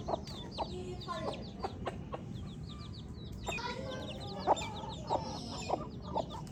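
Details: Baby chicks chirping: dense chorus of short, high, falling peeps, with intermittent knocking clicks and a slightly noisy background.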